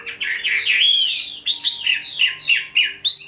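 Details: A red-whiskered bulbul sings competitively at rivals, a rich warbling phrase of rising and falling whistles, then after a short break a series of quick looping chirped notes, loud and close, with only a faint hum behind.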